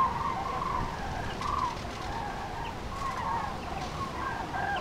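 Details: Spring-migrating common crane flock over the meeting point of three French departments, 5 March 2016; a steady run of rolling trumpeted calls from several birds at middle pitch, with broadband hiss throughout.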